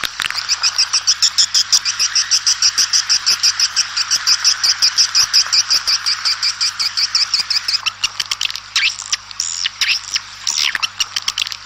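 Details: Swiftlets calling outdoors to gather the flock give a fast, high, buzzy twitter, about three chirps a second for eight seconds, then scattered sharper chirps.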